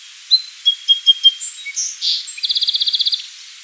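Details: Song sparrow song opening with several sharp, separate high chips and slurred whistles, followed by a quick buzzy trill of about ten evenly spaced notes, in a quiet outdoor setting.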